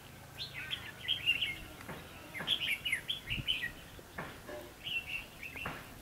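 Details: Red-whiskered bulbul at a long-handled trap set for wild birds, 22 October 2016: several lively phrases of liquid, warbled whistles, each a rapid cluster of up-and-down notes, repeated about every second with short pauses and faint rustling between.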